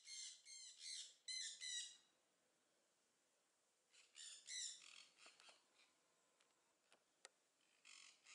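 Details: Southern screamer at a bird park in Upie, Drôme, France, giving a quick run of loud harsh notes. Softer calls and scattered clicks follow after a pause.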